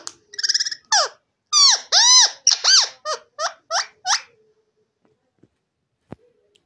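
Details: A green parrot kept indoors, said to talk in Urdu and Hindi, gives a loud burst of harsh, squawking, speech-like syllables, about ten arching notes in four seconds, then falls silent apart from faint clicks.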